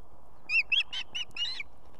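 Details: Osprey female on her nest in Estonia, with two chicks, calling for the male to come with food at evening mealtime: a quick run of five or six sharp, clipped chirping whistles within about a second, fairly loud and clear.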